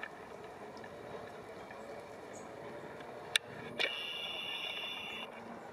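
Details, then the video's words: Long-tailed tits feeding and migrating; one gives a dry, buzzy, high churr lasting about a second and a half, with a thin high note earlier, over steady background rumble and a sharp click. Long-tailed tit. "Long-tailed Tit / Aegithalos caudatus / Ilgauodegė zylė / Длиннохвостая синица"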